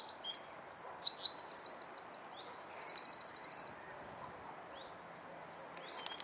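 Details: A Eurasian wren in Alkmaar, the Netherlands, bursts into a loud, high, rapid song of ringing notes and a fast rattling trill, lasting about four seconds before quiet background.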